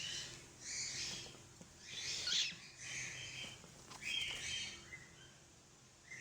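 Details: A cockatiel, apparently angry and possessive over its mate, gives harsh, raspy screeches and hissing bursts, repeated every second or so.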